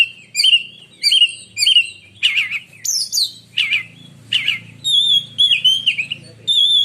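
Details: Black-and-white oriental magpie-robin kept as a competition songbird in Indonesia, giving shrill 'menyambar' song: three repeated clear whistled phrases, then buzzy rattling notes and ringing high whistles, with faint low hum behind.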